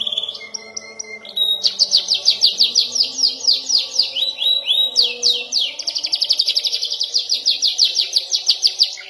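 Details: Young canary learning to roll, opening with soft whistled tones, then long fast trills of high repeated notes in shifting phrases, steady rolling rhythm through to the end, faint hum below.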